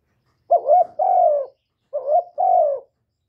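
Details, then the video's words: Two cooing phrases from a spotted dove in a quiet recording: a short lifting note leads into a longer, mellow, falling coo, the second phrase following about a second and a half after the first. "Chim Cu Gáy GỌI+THÚC+GÙ hạp bổi kích bổi, Cu Gáy Không Hậu Lỡ, Tiếng cu đất gáy, Cu cườm gáy gù"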